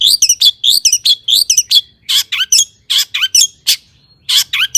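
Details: Long-tailed shrike singing loudly as bait to set other shrikes off: clusters of rapid, slurred twittering notes, then spaced harsh rasping calls with downward-curving whistles, separated by short gaps.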